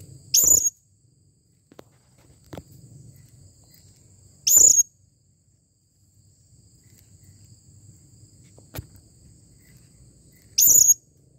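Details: Serindit, the blue-crowned hanging parrot, calling clearly: three shrill high-pitched squeaks spaced about every four to six seconds, with near silence and a faint low rumble between them.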